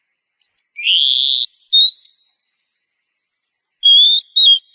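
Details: Female oriental magpie-robin in breeding condition calling a male, used as a lure for caged birds; a short high note, a long buzzy whistle and a rising whistle, then after a pause two more whistles.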